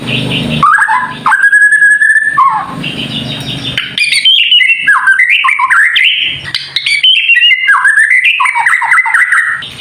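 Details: Kretekan-style song of a White-rumped shama, played to stir other shamas to sing: loud varied whistles, a steady held note, then fast chattering runs of sliding and stepping notes repeated several times a second.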